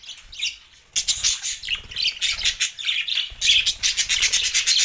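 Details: Budgerigars chirping after a brief quieter start: dense scratchy chatter and sharp high squawks, with faint low rubbing thuds underneath.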